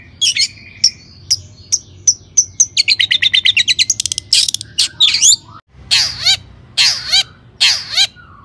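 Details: Long-tailed shrike singing vigorously to draw other shrikes into song: high sharp ticks, a fast rattling trill of clipped notes, scratchy mimicked phrases, then three loud harsh downslurred calls spaced about a second apart.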